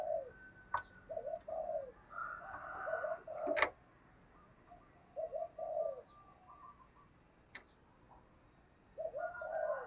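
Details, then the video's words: Spotted dove cooing to lure wild doves: soft, low, hollow coo phrases in short paired bursts spaced a few seconds apart, over a quiet background with sharp clicks and faint higher chirping. "Tiếng chim cu gáy kích bổi nhanh nổi. thúc gù, gáy gọi"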